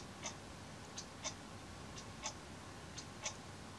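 Daurian redstart giving dry, clicking tack notes, often in quick pairs, about one a second, over a quiet hiss of background noise.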